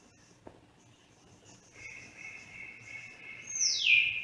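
Grey parrot gives a long, steady, thin whistle, then a loud, sharp whistle sliding downward. There is a faint hiss and a single click at the start.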